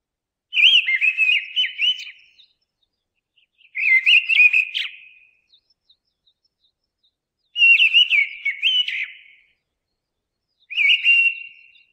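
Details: Four short fluted phrases from a mistle thrush, loud and warbling, each roughly one to two seconds, delivered with pauses of one to three seconds between them, with no other noise.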